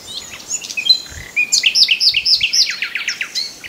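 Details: A common nightingale delivers quick, slurred descending notes repeated about four per second after a few soft whistles, the phrase rolling on steadily over quiet background chirping.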